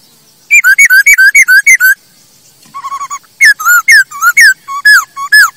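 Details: ['Masked laughingthrush song used as lure and tutor recording for training birds: rapid rows of loud whistled two-part notes, each sliding down, about eight in a burst, a short pause, then lower repeated whistles and more falling phrases.']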